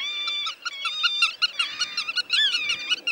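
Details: Black-tailed godwit, a meadow-breeding migrant of Dutch polder landscape that winters in southwest Europe and West Africa. Rapid series of nasal, harmonic-rich notes repeated several times a second, some rising and falling, over a quiet background.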